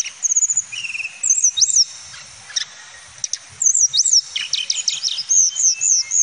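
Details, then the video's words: Hill Blue Flycatcher male, called tledekan gunung, pouring out high, sweet whistled phrases with fast trills and sharp swooping notes, a short quieter pause mid-song, then dense, quickly repeated bright slurs. "Suara Kicau Tledekan Gunung Jantan"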